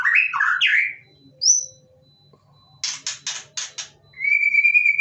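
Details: White-rumped shama inside a covered cage, reacting to other birds' voices with slurred whistles, a thin high note, five loud buzzy rasps and a sustained, level whistle.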